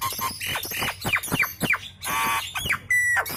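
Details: Nias hill myna in lively chatter that gets other birds calling: loud hoarse squawks and down-sweeping whistles in quick succession, broken by a harsh noisy burst and ending in a flat, sustained whistle.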